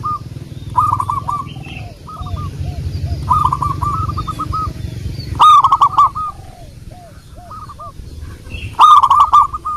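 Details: Local wild zebra dove song used as a lure: repeated phrases of fast hooked coos, the loudest bursts about every three to four seconds, with quieter lower coos from other doves between them.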